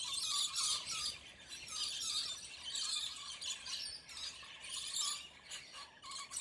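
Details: Territorial scaly-breasted lorikeets squabbling aggressively; continuous shrill screeches and squeals in rapid overlapping bursts, harsh and high-pitched, several birds calling at once.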